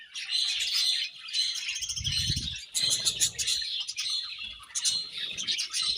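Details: Pet budgies chirp and sing as they eat, a continuous high warbling chatter of overlapping twitters, with a few soft low thumps and knocks in between.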